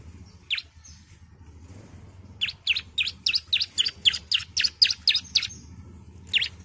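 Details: Female bar-winged prinia calling to a male: one lone chirp, then a quick regular series of about twelve high, sharp notes at roughly four per second, with a low hum beneath.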